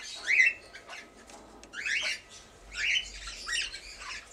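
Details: Red-winged parrot pair, two years old, with their first brood of 20-day-old young. Rough, grating squawks rise and fall in four main bursts, separated by quieter scratchy sounds.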